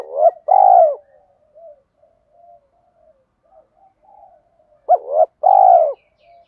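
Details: Spotted dove coo in the 'giọng thổ' style, played as a lure to train birds: two phrases, each with quick clipped notes leading into a drawn-out throaty coo, with soft faint murmurs between.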